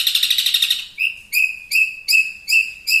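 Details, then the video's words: Champion long-tailed shrike singing vigorously for a songbird tutoring recording: a short buzzy trill, then a series of clear ringing notes, each with a bright overtone, spaced roughly every third of a second. "BURUNG CENDET MATERI TERBARU,SUPER GACOR+SPEED RAPET"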